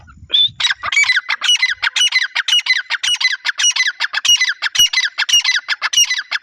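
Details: Grey francolin giving a loud harsh call: rapid raspy grating notes repeated about twice a second in a long continuous run after a short whistled note.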